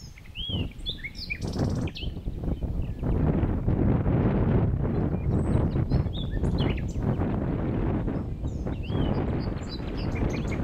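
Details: Song of a common nightingale: a varied, fast sequence of high whistles, upslurred and downslurred notes and chirps throughout, set against loud, dense low-frequency background noise.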